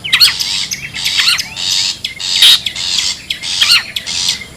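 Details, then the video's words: Long-tailed shrike, wild bird, used to lure others: coarse buzzing screeches nearly once a second, each with a sharp falling whistle. "SUARA ASLI PIKAT CENDET,PENTET ALAM LIAR BUKTIKAN LANGSUNG PADA KUMPUL"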